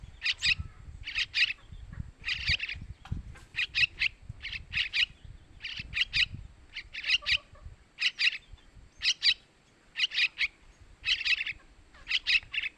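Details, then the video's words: Yellow-vented bulbul chick begging used as a lure for males: a long run of harsh doubled and tripled rasps roughly every second, with low rumbling background noise early on. "Suara Anakan Trucukan buat Pancingan burung Trucukan jantan"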